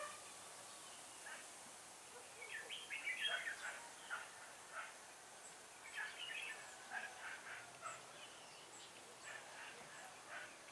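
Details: Red-whiskered bulbul at a trapping site on 4 December 2016: short bursts of bright, warbled chirping notes around two to four seconds and again from six seconds onward, irregularly spaced over a steady high hiss.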